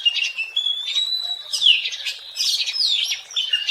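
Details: Oriental magpie-robin singing in the wild, recorded for use as a lure: a rich, continuous run of whistled notes, long sliding tones and harsher chattering phrases, sweeping between mid and high pitch without pause.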